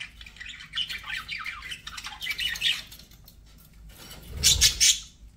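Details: Pet budgerigars give a busy twittering chatter of scratchy chirps that quietens, then a few louder, harsher squawks burst out alongside a dull knock.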